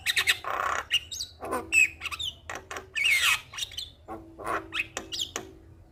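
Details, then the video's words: Javan myna singing as a lure for a stressed myna: mix of harsh buzzy notes, thin whistled slurs and sharp ticks at uneven intervals. "Burung Jalak Stres Grabakan Coba rutin Kasi pancingan Suara Jalak Kebo Gacor"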